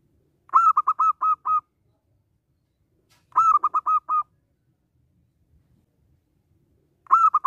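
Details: Local zebra dove song, used as a lure to get other doves singing and for trapping: clear phrases of one lead note and four or five clipped, hollow coos. The phrases are separated by about three seconds of silence.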